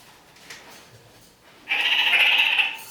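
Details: Indoors, a kakariki walking on the ceiling lets out a single long, harsh, buzzing screech lasting about a second after a quiet start with faint rustling.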